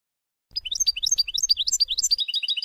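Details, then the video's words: European goldfinch song used to teach young birds, 2020: a lively continuous stream of high tinkling, twittering notes that leap up and down rapidly, with a faint low hum beneath. "Ecolage Chardonneret Melodieux // Goldfinch Song to teach young people // أغنية الحسون لتعليم الشباب"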